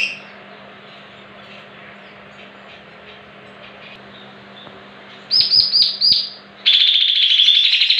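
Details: Greater green leafbird song meant to trigger singing in other leafbirds, starting quietly, then a burst of quick high downslurred notes, followed by a sustained shrill buzzy trill over a low background hum.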